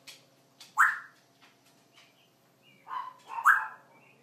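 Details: A 14-year-old African grey kept as a pet utters short, abrupt chirping squawks, two louder bursts separated by quiet, with soft whistles between, while its owner coaxes it to talk.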